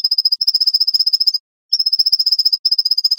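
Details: White-breasted nuthatch recording edited into a tight, rapid sequence, giving a fast, even run of high, slightly nasal notes, about six per second, in two bursts with a short pause.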